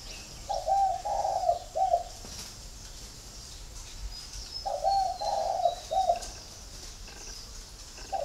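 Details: Captive spotted dove from a flock at a bird garden in Ba Vì district, Hanoi, Vietnam, giving two soft, hollow three-part coo phrases about four seconds apart, the middle note longest, over light background hiss.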